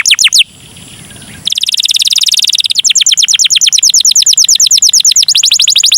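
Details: Canary singing a long-duration song in the ornate style called cengkok mewah: loud, high, rapid trills of sweeping notes, a short pause, then fast rolling repeated phrases several per second.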